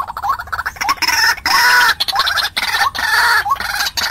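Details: Decoy recording of a white-breasted waterhen calling to draw in wild birds: rasping, nasal phrases with short upward-inflected notes, broken by abrupt silences.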